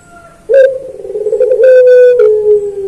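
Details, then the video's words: Pelung song of a collared dove (puter), meant for training pet birds: a sudden loud, low coo stretched for about two seconds, level then slightly falling, broken by several clicks. "Masteran Puter Pelung Manggung Atau Berbunyi"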